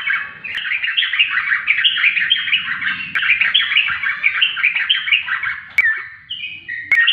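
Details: Yellow-vented bulbul, known as trucukan, in a loud, continuous run of rich, bubbling, warbled notes with quick chattering phrases and a couple of clear whistles near the end; faint low rumbling and sharp clicks behind.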